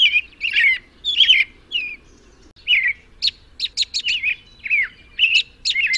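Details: An American robin sings fluid, slurred whistled phrases, alternating lower caroling notes with rapid high-pitched squeaky notes in quick succession, delivered with hardly a break.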